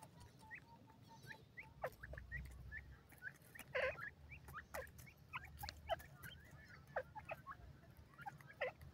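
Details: Indian teetar, a female francolin: many brief rising chirps come at uneven intervals, a few stronger notes stand out, and a thin steady tone plus low rumble run underneath.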